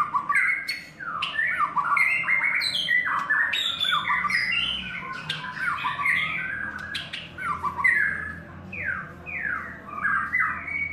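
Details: White-rumped shama in its third molt pours out a long, fast series of loud downslurred whistles and chattering notes, dense and almost continuous throughout, with a low hum in the background.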